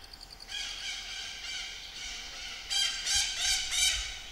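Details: Pallas's fish eagle calling from its perch on a tree in the forests of Corbett park, India; a loud, harsh, harmonic call held for about two seconds, then a rapid run of clipped barking notes, about three per second.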